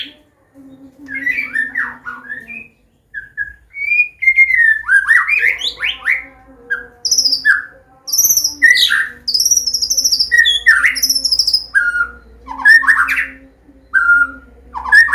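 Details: Combination song of a Medan white-rumped shama, clear 'ngeplong' style, played to coax young birds into singing: varied whistled phrases, rapid chattering bursts, high sharp notes and slurred warbles, broken by short pauses, with a low background hum.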